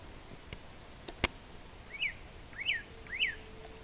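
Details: Dawn song of a Northern cardinal (cardinalis cardinalis) in Mexico, heard while hunting in turkey season: after a few sharp clicks, three loud down-slurred whistled notes spaced about half a second apart, with a faint steady hum beneath.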